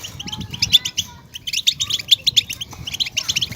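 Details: Energetic twittering of a European goldfinch used as batbata to excite caged goldfinches: rapid tinkling notes and short buzzy trills in quick bursts, a brief lull near the middle, then renewed chattering.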